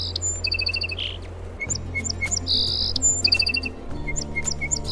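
A sparrow gives quick bright chirps, some in rapid strings of five or six, others single and sharp, over a steady low hum.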